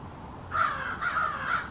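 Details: Three harsh, evenly spaced caws about half a second apart from American crows in a small backyard family, part of an extended exchange in which each bird's call differs slightly.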